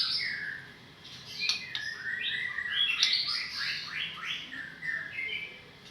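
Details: White-rumped shama from Medan singing a rich, continuous stream of clear whistled phrases, with sliding, rising and falling notes mixed with brief sharp clicks, mostly high-pitched and varied from phrase to phrase; no other clear sounds.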